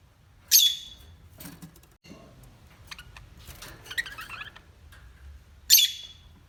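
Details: Parrot voices: two loud harsh rasping squawks, one near the start and one near the end, with soft chattering and clicking notes between them over a low hum.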